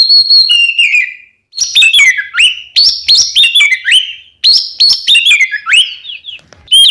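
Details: Ngeplong-style oriental magpie-robin song played as a lure for caged birds: bright whistled notes sliding down, followed by a run of sharp, rising-then-falling chirps in quick bursts separated by brief pauses.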